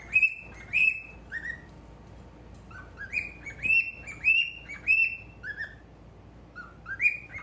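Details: A pet cockatiel, male, calls toward a mirror with evenly spaced whistled chirps, roughly one to two per second, each a short harmonic note, some dipping lower in pitch.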